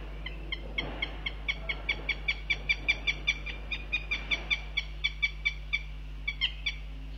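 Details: Northern goshawk at the nest during breakfast on 9 June 2021, telling off the male that dropped in: a rapid run of sharp, harsh kek notes, about two and a half a second, over a steady low hum from the live nest camera.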